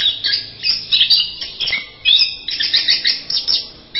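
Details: Masteran-style singing from an orange-headed thrush: dense, rapid bursts of sharp chirps and squeaky notes, packed into short phrases separated by tiny gaps.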